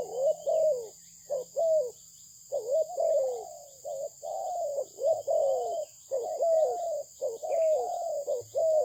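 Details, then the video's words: Spotted dove of good Malaysian stock delivering a long run of rolling coos, short clipped notes alternating with longer sliding ones, nearly continuous, against a faint steady high whine. "លលកធ្នាក់ម៉ាឡេស៊ីពូជល្អ សម្លេងល្អ លេងល្អ - Terkukur Mania - The Sound Of the dove"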